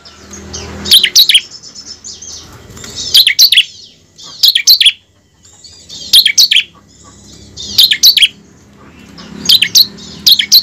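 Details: Bar-winged prinia singing in a recording used to stimulate captive prinias into steady, rapid ngebren singing: clusters of quick, shrill chirps repeat roughly every one and a half seconds over a faint low hum.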